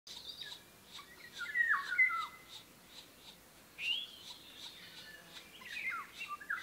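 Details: A female black woodpecker (Dryocopus martius) busy with three chicks in the Danube Delta, Romania, in June 2018. High, squeaky, wavering calls come in three short bursts over a steady patter of faint, quick, high ticks.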